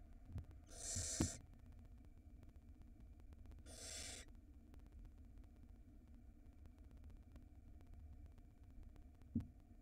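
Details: Barn owl nestling swallowing a huge rat, seen on a live nest camera in Israel in 2022; two separate rasping hiss bursts about two and a half seconds apart, the first with a thin whistled edge, then quiet hum and a soft thump.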